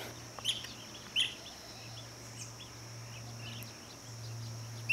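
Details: A blue-cheeked bee-eater at lunch time gives a few short, bright, rolling calls at irregular intervals over a steady background hum and a high whine.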